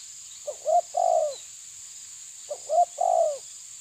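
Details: Spotted dove of the tabir kind pushing back at a rival repeats one low cooing phrase twice, about two seconds apart, short clipped notes followed by a long downward-gliding coo, above a constant shrill drone.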